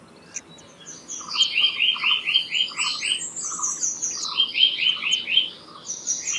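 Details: Black-naped monarch singing: two runs of short, clear ringing notes repeated quickly at an even pitch, about six to eight notes per run, with a fainter lower echo of each note and soft background birdsong.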